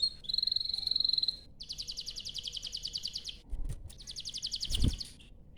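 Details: Canary song used as a lure to get other canaries singing: a sustained high trill, then fast buzzy rolling trills broken by short pauses, with low thumps and background noise underneath.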